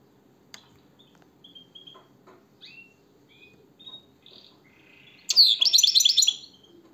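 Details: European goldfinch (Carduelis carduelis), song.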